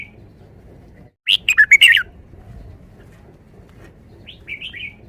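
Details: Red-whiskered bulbul kept in a cage, singing its five-syllable forest song style: a tight burst of five bright, bouncing whistled syllables, silence, then a quieter short warble near the end; faint low hum throughout.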